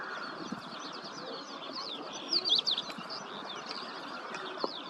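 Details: Ashy-crowned sparrow-lark while feeding gives rapid high twitters, with a loud burst of clipped chirps midway, then scattered softer notes over a steady hiss.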